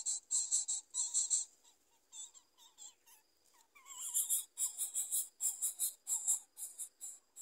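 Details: Yellow-vented bulbul chicks being fed worms: bursts of high, harsh, buzzy begging notes in rapid series, with softer wavering whistles between bursts.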